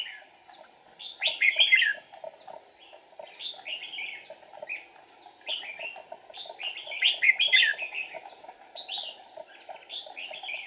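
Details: Red-whiskered bulbul decoy used in trapping on 8 April 2019, flicking its wings and tail while singing to lure wild rivals: bright, warbled high phrases of quick slurred notes repeating every second or two, over steady faint ticking in the background.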